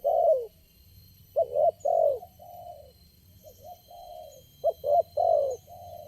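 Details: Lone wild spotted dove responding strongly to a lure bird at a trapping site, cooing in repeated phrases of hoarse notes, a quick double note followed by longer droning coos, with a constant faint background hum.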